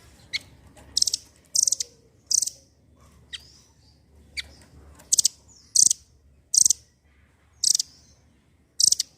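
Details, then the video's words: Velvet-fronted nuthatch, the rambatan doraemon, in energetic voice: loud, sharp, very high chip notes in paired and grouped bursts spaced a second or so apart, with fainter high notes between. "rambatan doraemon gacor cocok pancingan burung macet bunyi"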